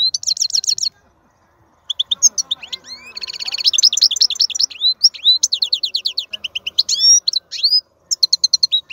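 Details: European goldfinch male from the wild giving powerful song in bursts after a short pause: dense high twitters, a buzzy rattling trill, and quick upslurred whistled notes repeated in lively phrases.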